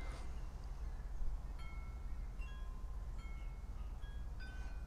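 Wind chimes ring out in scattered clear metallic tones over a steady low rumble of wind, with no animal sound present.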